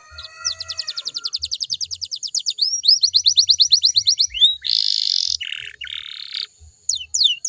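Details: Canary song meant to prompt other canaries to sing back: a long run of rapid, evenly spaced high trilled notes, shifting into buzzy rolls and sweeping whistles, with soft low knocking sounds underneath.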